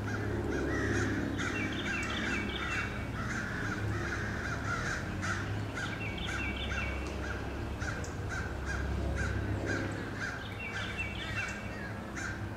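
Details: Relentless crows harassing eagles, recorded 4/26/15: rough, repeated caws in bursts of several notes, roughly two to three per second, continuing throughout over a constant low background hum.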